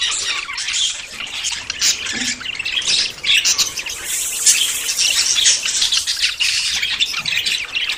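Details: Budgerigars in courtship ahead of breeding give a scratchy, overlapping chatter of squawks and high squeaks, quieter at first and building into louder bursts after three seconds.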